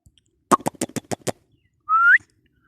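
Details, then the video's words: Talking Indian ringneck parakeet: a run of six quick, harsh, clipped syllables, then after a short pause one clear whistle that holds steady and sweeps upward at the end. The room is otherwise quiet. "Talking parrot natural sound / Voice || Indian ringneck parrot sound"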